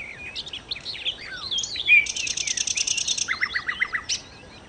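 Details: Sikatan londo, or nightingale, in full song: varied swooping whistles and falling slurs, then a fast buzzy rattle of rapidly repeated high notes, followed by a short series of lower stuttering notes.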